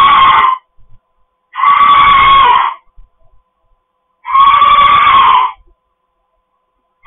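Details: Pet cockatoos in a house screeching repeatedly: three loud, grating screams of about a second each, roughly every two to three seconds, another starting at the end.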